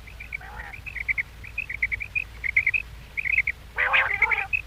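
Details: Common quail calling: short, high chirped notes in small clusters of two or three, repeated steadily across the recording, with one brief louder, harsher burst of notes near the end.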